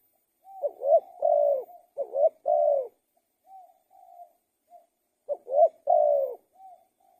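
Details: Tekukur or spotted dove cooing: quick rising notes lead into a long sustained coo, repeated, with soft fainter coos between the phrases and a quiet background.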